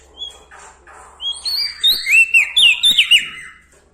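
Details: Bar-winged prinia singing vigorously and loudly, said to keep going in the presence of large birds. Sharp, high slurred whistles and clipped chips tumble quickly after a few softer opening notes.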